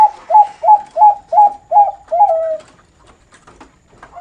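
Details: Zebra dove of the Bangkok type at a Madura bird farm, delivering a noklak-style phrase: seven fast, punchy coos ending in a drawn-out falling note, then near silence.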